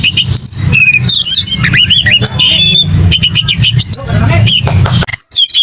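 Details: Oriental magpie-robin in aggressive fighting song, full of varied phrases, meant to provoke kept birds into singing: rapid sweeping whistles and harsh chattering notes tumbling densely over a steady low rumble, then a brief pause and a few more whistles.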